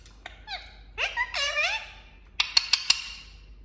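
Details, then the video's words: A pet Indian ringneck (rose-ringed) parakeet talking: a brief, high, nasal spoken phrase with rising and falling syllables, followed by four sharp clicks or taps. "Indian Ringneck Talking Parrot"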